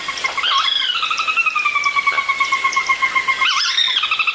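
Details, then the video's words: Wetland soundscape from a passive recorder where territorial soras call on and on: a drawn-out, pulsing whinny that starts high and slowly slides lower for about three seconds, with blackbird chatter behind. "You can hear the redwings go quite a few times, but definitely hear soras going on and on and on."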